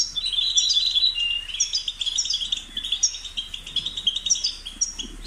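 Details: Steady European goldfinch song of fast, silvery chirps and twittering runs, nearly unbroken, with a faint low hum in the background.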